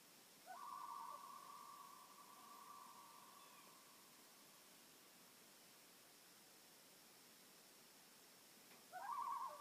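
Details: Loons calling on a peaceful lake in Maine: a long, steady, mournful tone held for about three and a half seconds, then a quiet pause before a second drawn-out note begins, over faint steady background hiss.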